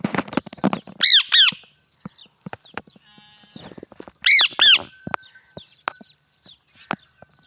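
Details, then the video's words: Talking parrot letting out two loud, harsh doubled squawks several seconds apart, mixed with rapid clicks, taps and softer chattering notes. "پیارا بولنے والا طوطا | Cute Talking Parrot"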